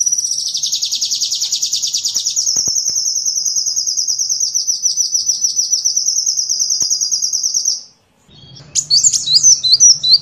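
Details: Sunbird song used as a training recording for songbirds: a long, very high, rapid buzzy trill held steadily for about eight seconds. It stops abruptly, then after a short silence comes a burst of sharp, jumbled high chirps.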